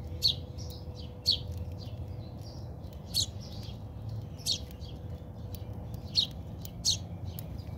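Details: Fighting house sparrows in a South African backyard give sharp, clipped high chirps about once a second, loud and piercing above quieter twittering and a faint hum.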